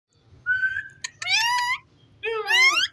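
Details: Rose-ringed parakeet talking: a steady whistled note, a click, then two harsh, speech-like rising syllables rich in overtones, over a low indoor hum.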